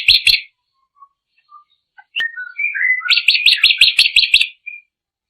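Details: Drongo song: two sharp chirps, then soft scattered whistles sliding downward, then a quick run of about nine bright chattering notes ending with a short whistle.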